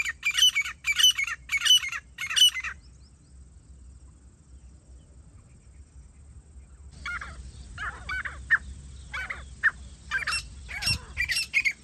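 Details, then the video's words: Grey francolin calling during a partridge-hunting outing: a burst of loud, harsh, rapidly repeated notes, a quiet pause, then a longer run of sharp repeated calls with faint background hiss. "grey francolin | grey partridge hunting | jungli teetar shikar 👌| teetar awaaz"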